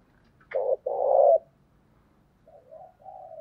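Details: Spotted dove lure in thổ style cooing to provoke wild doves: a sharp click, then a rough low double coo, followed by softer, fainter rolling coo notes and light background rumble.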